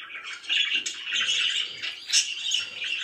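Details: Pet budgies, said to be happy, in a dense, noisy wash of overlapping chirps and chatter with a slightly hissy background.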